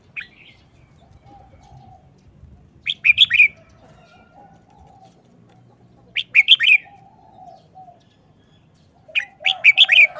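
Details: Red-whiskered bulbul giving a short wild-style song at a fast pace: a crisp three- to four-note whistled phrase repeated roughly every three seconds, with faint low murmuring behind it.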